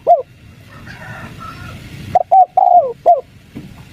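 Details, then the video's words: Spotted dove giving the 'kuk 3' style call meant to lure wild doves into replying: after a quiet pause with faint tones in the background, a single phrase of clipped coos, then a longer falling coo and a final short note. "PANCINGAN DEKUKUR KUK 3 | BURUNG TEKUKUR LIAR MALES BUNYI LANGSUNG NYAUT"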